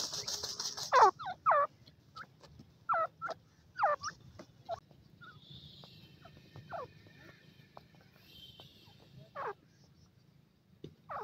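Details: Female black francolin playing with her chicks; a series of short, sharp downslurred notes comes in quick, uneven bursts, some paired, with quieter chips between and a low background hum.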